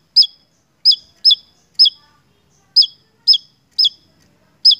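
Javan tesia giving sharp, very high chirps, each with a quick downward flick, repeated about every half second in an uneven rhythm against silence.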